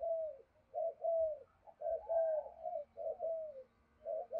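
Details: Spotted dove giving 'thúc gù' coos in the 'giọng thổ' style, heard quietly over low rumbling background: a steady series of soft, drawn-out coos, several sliding downward at the end.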